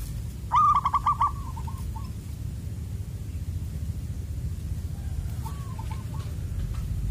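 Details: Wild zebra dove with a loud, far-carrying "koong" voice, recorded while being lured to lime sticks. One rapid stuttering phrase of low coos rolls into a trailing note, a fainter echoing phrase follows later, and a steady low rumble runs beneath.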